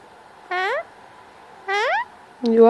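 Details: Male pet Indian ringneck parakeet vocalizing during cuddle time, seeking attention: two smooth rising tonal notes about a second apart, then a lower human-like voiced sound at the end, in a quiet room.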